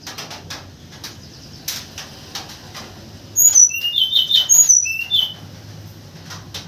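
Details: White-crowned forktail lure call in the morning: after soft clicks and rustling, a brief cluster of thin, very high whistles, some sharply falling, others short and rising, lasting about a second and a half before quiet returns.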